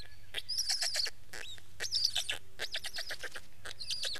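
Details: Black stork calling in rasping, broadband bursts with bright, high whistled notes that wobble in pitch, the calls uneven in spacing over a faint low hum.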